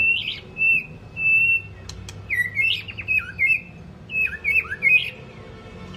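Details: White-rumped shama in long-voiced song for training other shamas: bright high whistles, some held, others broken into rapid trills and downslurs, in separate loud phrases about every half second, with two sharp clicks and low hum.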